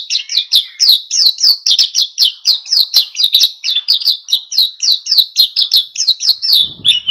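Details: Oriental white-eye delivering vigorous ngalas song to prompt other birds to sing: an unbroken, fast, even series of sharp high chirps, roughly three per second, for the whole seven seconds, ending with a soft low rustle.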